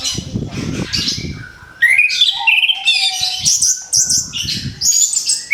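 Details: Orange-headed thrush, a caged bird fresh from moulting. Low fluttering thumps open the clip, then a loud varied song follows: rising whistles, high scratchy trills and buzzy notes pour out almost without pause.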